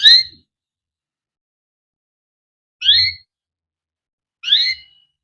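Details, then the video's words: Canary, a cared-for singer used to train young or lazy canaries to sing: three separate short notes, each a quick downward-sweeping chirp with a lower twin, spaced one to two seconds apart amid silence. "burung KENARI CUIT CUIT NGEROL untuk pancingan kenari biar gacor || kenari gacor panjang || canary"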